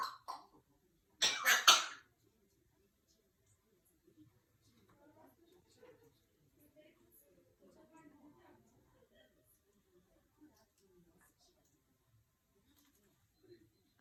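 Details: Female African grey parrot coughing while fooling around, not sick: two short raspy cough bursts at the start, then near silence with faint soft rustles.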